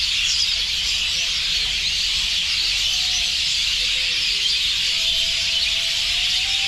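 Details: A crowded roost of many birds chirping nonstop, their droppings turning the ground white beneath; a thick, unbroken blanket of high twittering notes with a few faint, drawn-out lower tones.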